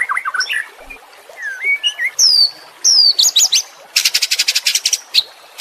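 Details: White-rumped shama, training audio for caged birds that have stopped singing: varied, loud song mixing quick warbles, long sliding whistles and sharp high notes, ending in a fast rhythmic series of chipping notes.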